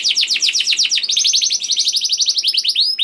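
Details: Young canary singing to stimulate other canaries into song: rapid series of repeated falling chirps forming a fast rolling trill, ending in a few sharp downward-sweeping whistles.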